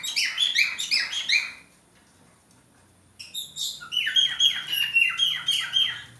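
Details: Breeding male budgerigar, kept by a breeder, in a fast chattering warble of high squeaky chirps, then a pause of about one and a half seconds, then another burst of rapid buzzy notes and falling slides.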